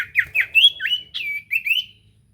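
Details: Common iora lure song aimed at drawing answers: a rapid string of chirpy, swooping whistles that rise and fall, about eight notes in two seconds, fading at the end.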